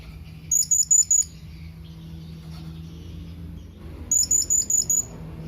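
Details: Blue-crowned hanging parrot calling for companions, used to lure other birds into calling. Two runs of five quick, bright, very high notes, three seconds apart, over a low steady background hum.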